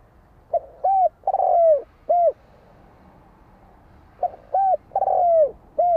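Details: A spotted dove repeats its phrase twice, about four seconds apart. Each phrase has a soft lead-in note, a coo, a long slurred falling coo and a final short coo, over a quiet background.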